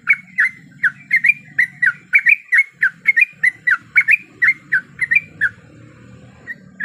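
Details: Female sooty-headed bulbul in breeding condition calling a male, used as a lure: rapid series of short, squeaky chirps, quick two-note slurs repeated several times a second, with a faint low hum underneath and a brief pause near the end.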